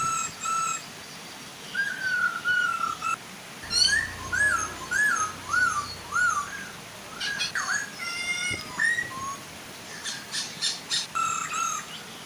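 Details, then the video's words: Chinese hwamei, female and male singing to draw other hwamei into song, with soft waterfall behind: rich whistled phrases of rising and falling slurred notes, repeated in quick runs, mixed with harsher buzzy bursts. "Suara air terjun dan burung poksay hongkong"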